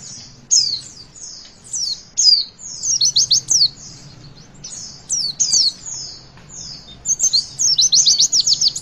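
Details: Witwit-style song of a Javan white-eye, used to get young birds singing: scattered high slurred whistles lead into short clusters of quick sharp notes, ending in a dense rapid trill. Faint low background hum.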